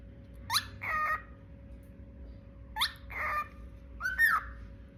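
A bird gives three short phrases about a second apart, each a quick rising squeak followed by a harsh, buzzy chatter, over a low steady hum.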